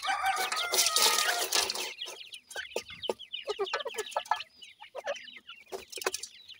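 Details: Sindhi grey francolin chicks while feeding: a dense chorus of rapid high peeping and clucking notes, many overlapping callers, with a loud harsh burst at the start.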